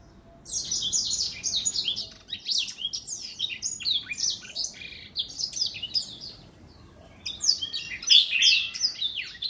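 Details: Recorded in 2021, an older black-throat sings in spaced bursts of rapid high twittering, about three notes a second, with brief quiet gaps and a louder, busier outburst near the end.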